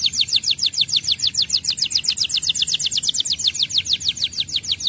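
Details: Canary song played as a master track to make other canaries respond and sing: a fast, even trill of high, sharply descending whistled notes, about three per second, sustained throughout.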